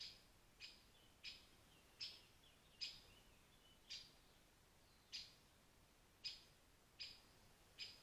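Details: Rare European pied flycatcher at a forest pond in Wales, giving sharp, high, clipped notes, one roughly every second, about ten in all, over a soft steady background hiss.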